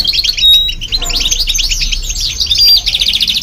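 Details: European goldfinch, together with a goldfinch hybrid, singing to stimulate other birds; quick bursts of jangling twitter and short buzzy trills, steady and overlapping, with occasional thin high whistles.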